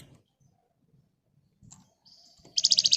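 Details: Lively Flamboyan bird in full song, used as a lure to make other birds answer quickly: after faint low rumbles and scattered notes, a sudden loud burst of rapid, high, buzzy chattering notes closes the recording.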